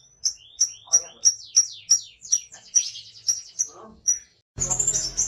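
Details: Pet lovebird singing a ngekek run of sharp high chirps about three per second with descending slurred notes between, followed by a loud burst of rough noise at the end.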